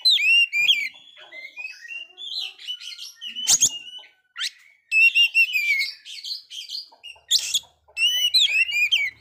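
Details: Oriental magpie-robin, a bird that failed its moult yet sings strongly, its song used to lift a dispirited magpie-robin: fluent warbled whistles, rising and falling notes, sharp harsh bursts around three and a half and seven seconds.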